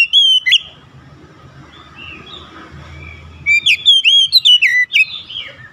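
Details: Kept Oriental magpie-robin, song used as therapy to calm a stressed bird: a short bright whistled burst opens, then after a pause a fast series of varied sweeping whistles and sharp chirps, with low background rumble.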